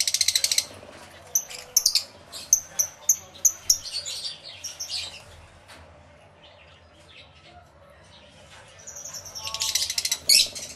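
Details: Lovebirds, many together in an aviary, with shrill, high chirping chatter in dense bursts at the start, a string of sharp separate chips around two to four seconds, and another loud chattering burst near the end.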